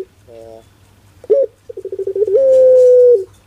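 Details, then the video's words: Pelung-type Barbary dove with a comical voice: a soft low note, a sharp rising yelp, a quick run of low stuttered pulses, then one drawn-out level hoot, over a steady electrical hum. "Suara LUCU PUTER Pelung"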